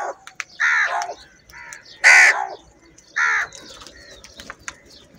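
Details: Crows in a big group contend over food, several birds answering each other with loud hoarse caws roughly once a second, some calls layered and overlapping, with faint chirping in the background.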